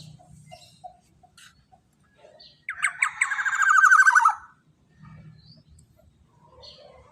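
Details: Black-naped oriole delivering a long-burst trigger call for tutoring other songbirds: quick sharp notes that merge into an extended harsh, nasal, buzzy rasp, set between quiet ticks and low hum.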